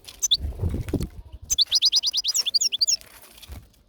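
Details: European goldfinch in a fast twittering run: about ten bright, evenly spaced high notes, then quicker jumbled tinkling notes, after a low rustle or flutter at the start.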